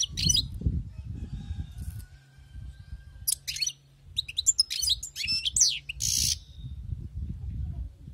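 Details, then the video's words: European goldfinch, wild-caught, giving twittering song bursts and a short buzzy note amid loud low rumbling background noise and a steady hum. "أسمع وركز على المقنين الخلوي كيف يغرد"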